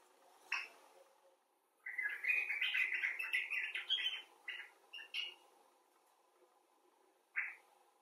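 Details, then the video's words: Common bulbul, from rescued and wild birds: a lone chirp, then a quick burst of rattling, jumbled chatter, a few clipped notes, and a final single call after a long pause. "Bulbul Talk: The Common Bulbul (Pycnonotus barbatus)"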